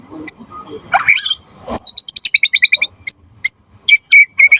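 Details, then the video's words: Gacor white-rumped shama (murai batu) song, used as a lure and master song: a harsh rising burst, then a fast rhythmic series of high chirps and several clear sustained whistles. "Suara Murai Batu Gacor Biar cepat BUNYI Auto NYAUT buat Pancingan & Masteran Burung Murai"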